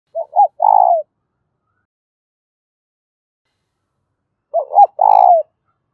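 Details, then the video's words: Spotted dove giving its urging and calling coos, a fast-cooing bird: two phrases about four seconds apart, each two short rising-falling notes followed by a longer, throaty, steady coo. No other sounds. "cu gáy thúc và gáy gọi/ cu gay kich boi nhanh noi gù"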